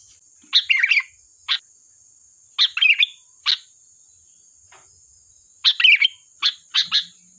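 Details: Energetic sooty-headed bulbul song used as a lure, alternating chattering warbled phrases with single sharp clipped notes, grouped in bursts separated by short pauses, with a constant shrill high hum in the background.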